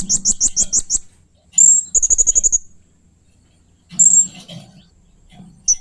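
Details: Blue-crowned hanging parrot uttering strange, fierce sounds: quick bursts of shrill, very high chirps, sharp piercing whistles and a fast buzzy trill, separated by short silences. A soft low rumble is also present.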